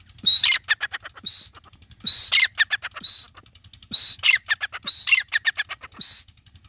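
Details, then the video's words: An Iranian partridge, a type that calls in the city, gives loud, harsh, rattling call phrases of rapid pulses, each starting with a high clear note, repeated roughly every two seconds. "irani Teetar ki awaaz"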